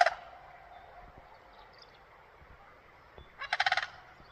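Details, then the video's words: Crane giving a single short rolling call of rapid harsh pulses near the end, after the tail of an earlier call and a stretch of faint background hiss. "Hello Mr crane,, why are you making noise??"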